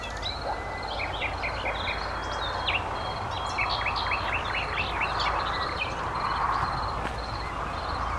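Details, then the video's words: Nightingale song from Sithonia, Chalkidiki, Greece, recorded 10 May 2020, subspecies megarhynchos: series of short rising whistles and clipped notes in quick runs, with a thin sustained whistle, set against a constant pulsed high background and a broad rushing noise. "Luscinia megarhynchos megarhynchos Αηδόνι on singing"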